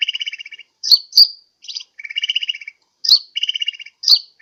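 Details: Lure call of a sunbird, recorded in Pajampangan, Sukabumi, for drawing in other birds: buzzy rattling trills alternate with short piercing squeaky notes, the pattern repeating about every second.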